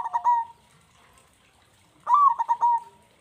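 Zebra dove giving two bursts of quick, stuttering coos that run into a steady mellow note, with a short pause between phrases.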